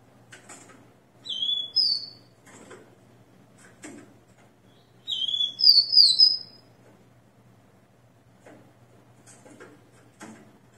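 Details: Rufous-collared sparrow singing after its moult, recorded at 6 in the morning on 29 September 2021: two short bursts of high, clear whistled notes, the second a longer descending series, with faint background clatter.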